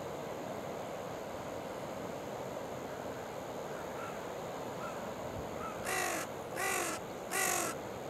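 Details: Wild carrion crows of a family at an Oita River waterside feeding ground, October 15 near 8:12: faint distant caws at first, then three loud, rasping, broadband caws in quick succession at the end.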